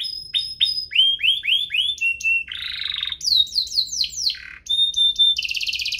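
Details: A pair of canaries singing vigorously as a tutor recording for juveniles: rapid repeated swooping whistles, a level tone, a harsh rattling roll, more slurred notes, and a closing buzzy trill.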